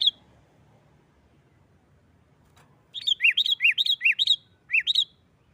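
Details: Sooty-headed bulbul in its 'nggaruda' fighting song, meant to goad rival bulbuls into singing. After near-silence, a burst of quick alternating high and low chirps, a short gap, then two more paired notes.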